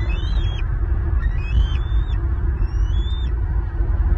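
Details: Bald eagles at a Southwest Florida nest, 5 April 2023, with fledged eaglets back home; three separate high, thin whistled calls, each slurring up and falling away, sound over a deep rumble of wind.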